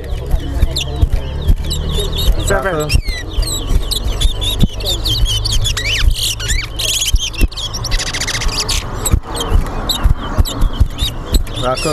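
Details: A seed finch (towa towa) in a singing race at Bath Settlement, Berbice, Guyana pours out rapid, sweet twittering and warbled phrases in repeated bursts over a loud crowd murmur and a man counting the songs aloud.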